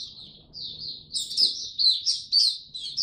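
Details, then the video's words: Caged white-eye (Mata Puteh) kept as a hobby bird in Singapore, recorded 31 July 2023 as it finally begins to sing again; high, thin twittering phrases in short bursts, louder toward the end, with faint low room hum. "Singapore Mata Puteh Buka Sing"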